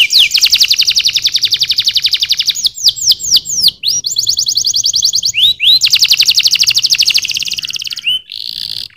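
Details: Canary song: long rapid trills of repeated sweeping notes, some rolled tours lasting over two seconds, broken by short series of slower downslurred whistles and a final buzzy note, loud and continuous.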